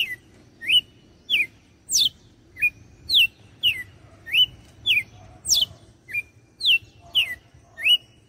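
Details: Red-cowled cardinal from Fortaleza, Ceará, Brazil, singing the açoite style of song: a loud series of clear whistled notes, some sharply descending from high, others rising, spaced about every half second, over faint low rumble.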